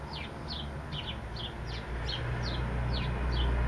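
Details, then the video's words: Sparrow chirping steadily, about four short falling notes per second, against loud low-pitched traffic-like hum that grows toward the end. "sparrow sings"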